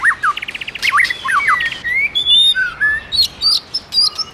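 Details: White-rumped shama male singing, stirred up by a female: a rich run of clear whistled notes, quick repeated chips and rising slurs, then higher sweeping whistles spaced through the phrase.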